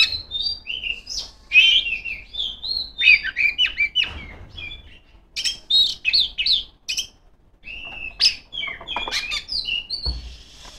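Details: Female Oriental magpie-robin, or kacer, singing loudly and nonstop to call rivals: varied whistled phrases, twisting slurs and chattering notes in bursts separated by short pauses, ending with a thin high hiss.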